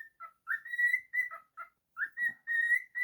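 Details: Happy pet cockatiel whistling its tune. Clear sustained notes alternate with short lower chirps. A soft low click is heard midway.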